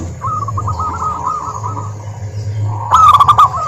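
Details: A lure for quiet zebra doves: a soft, fast run of rippling coo notes gives way to a sudden loud burst of clipped, stuttering coos near the end, over a low background hum.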